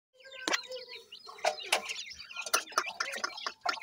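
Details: Grey francolin (dakhni teetar) chicks calling: short high chirps and peeps, some with steady tonal notes, scattered through the clip among sharp clicks and rustling.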